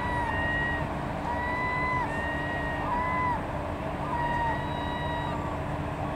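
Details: Herring gulls at Bergen harbour, Norway, 21 September 2015: level and gently falling mewing cries, some overlapping, given in quick succession over loud engine and boat drone filling the background.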